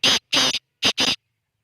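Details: Black francolin calling: a harsh, grating phrase of four loud broadband rasping bursts, the second and fourth drawn out, delivered within about one second against a silent background.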